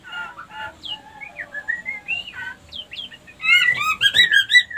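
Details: Female white-rumped shama lure to bring other females into breeding condition; soft varied whistles and slurred notes, then a louder rapid warbling burst of chirps near the end.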